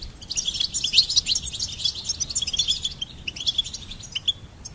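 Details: Goldfinch song: dense, liquid twittering with fast tinkling notes and buzzy trills, loudest in the first second, continuing as steady high chatter.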